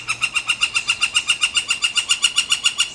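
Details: A pair of northern flickers, with one woodpecker giving a long, even series of nasal, squawky notes, roughly six per second, that carries on steadily for three seconds with no break.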